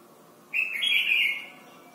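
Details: Red-whiskered bulbul from Thailand, a song for teaching young birds: a single sudden, clear warbled phrase that rises slightly then flows steadily for about a second before fading.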